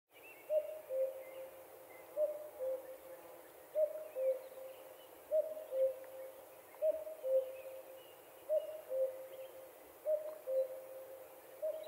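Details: Common cuckoo calling on a fine summer evening in Finland, recorded from a lakeside dock. Clear two-note cuck-oo, the second note lower, repeats steadily about every one and a half seconds. Faint calls of other birds sound higher above.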